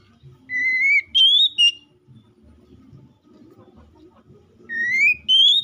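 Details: Oriental magpie-robin in 'gacor ngeplong' song, challenging a rival, played as a lure to make other magpie-robins sing: pure upslurred whistle, then two high steady notes, a pause of soft low noise, then the phrase repeats.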